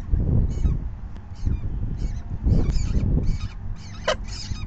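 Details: Begging at a falcon nest during the fifth feeding, May 9, 2020, 4:40 PM. Short raspy bursts come in uneven bunches roughly every half second, with one sharp piercing cry near the end, over low rumbling noise.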